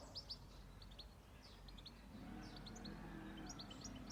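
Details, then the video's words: Birds on a farm, in a calm rural setting: thin, high chirps repeated quickly in scattered bursts, with a low steady rumble underneath. "Nature and peaceful sound of Birds"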